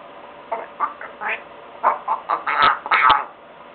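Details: Young African Grey parrot, four and a half months old, kept as a pet indoors, trying to talk while watching television; a run of short squawky, voice-like syllables, rising and bursting louder toward the end, over steady background hiss.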